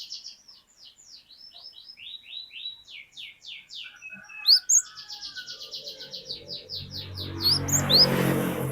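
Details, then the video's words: Cinereous tit (glatik batu), an actively singing bird in a long 'wucit wucit' style: fast series of high, slurred whistled notes repeated about twice a second, some sharp upward sweeps, ending in rising broadband noise. "Glatik Batu Bahan Auto Ngeplong Wucit Wucit Panjang"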